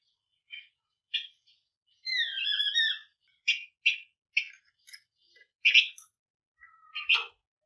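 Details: Flamboyan in active, dense 'gacor ngebren rapat' singing, used as a lure to stir other birds to sing; short chirped bursts and a few whistled notes, some falling, separated by brief pauses.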